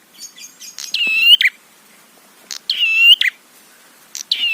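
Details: Prinia lure song for stirring other prinias to call. Soft introductory chatter leads into loud grating buzzy phrases with a bright end, about every 1.6 seconds.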